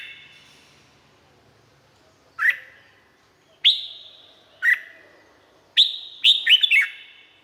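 Red-whiskered bulbul giving loud, sharp whistled notes about once a second, ending in a quick burst of three or four rich, descending phrases.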